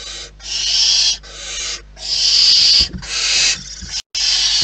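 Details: Wild barn owls at their nest: loud, harsh, breathy hissing screeches in long bursts of about a second, separated by short gaps, with one brief silent break near the end.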